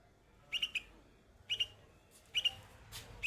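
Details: A young bulbul perched on white flowers sings in short bursts of bright, clustered chirps, three quick phrases about a second apart, over quiet background hiss.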